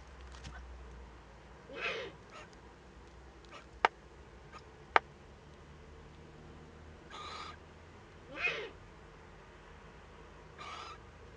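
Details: Young Eurasian eagle-owl at a nest webcam in northern Rhineland-Palatinate, Germany, on 15 May 2013, during its first contact. Several harsh, breathy hissing bursts come at irregular intervals a few seconds apart, with sharp clicks between them.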